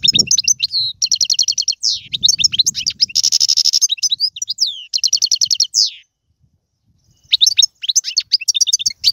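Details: Algerian goldfinch in tiwawati, galoubi, serfati and mandolin style song: rolling rattled trills, a harsh buzzy section, more trills, about a second of silence, then renewed bright twittering.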